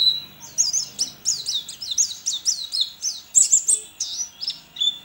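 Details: A white-eye, an entry in an online singing contest from Sambas, West Kalimantan, sings a fast, continuous run of high, thin chirps and twittering notes, several each second, with a few brief clicks near the end.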